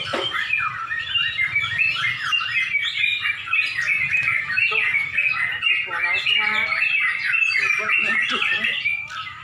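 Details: Caged Yellow-vented Bulbuls at a songbird contest in Pemalang, near dusk, many birds singing together in a dense overlapping jumble of bright chattering, warbling phrases, with faint voices of people underneath.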